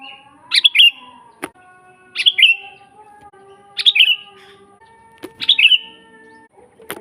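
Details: Natural sooty-headed bulbul song used as a training master and wild-bird lure: four brisk bubbly phrases of rapid notes trailing off, roughly every one and a half seconds, with sharp clicks and faint background tones.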